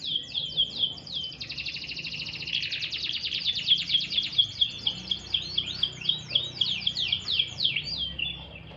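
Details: Canary singing while taking a light sunbath, opening with fast high chirps, moving into a dense buzzy trill, then ending with crisp repeated downslurred notes at a steady quick pace.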